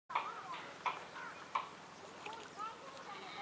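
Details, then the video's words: A painted stork chick breathes heavily and wheezily: raspy mid-pitched puffs with a faint whistled edge, about one every three-quarters of a second, over a low background hiss. "Painted Stork Chick- Heavy breathing"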